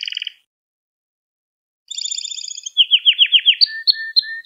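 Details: Canary singing to teach young canaries: a short bright trill, a pause of silence, then a fast buzzy roll and a run of loud descending chirps repeated several times a second, ending in thin high whistled notes.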